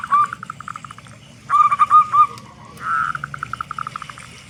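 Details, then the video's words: Local zebra dove, a loud and frequent singer, recorded as a lure to get other doves singing; short bursts of quick, evenly spaced coos with a smooth rising note, separated by quieter gaps. "Perkutut Lokal Gacor Suara Besar Pancingan Burung Perkutut Agar Cepat Bunyi"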